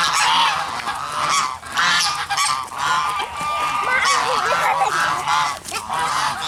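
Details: Geese with black swans nearby give loud, brassy honks in quick runs, several voices overlapping, each run rising and falling in volume.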